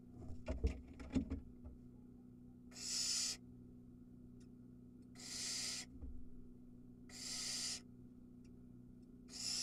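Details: Nestling barn owl in Ram-on, Israel, begging around when it swallows a mouse: scratchy clicks and rustling first, then four breathy rasping screeches about two seconds apart over low hum.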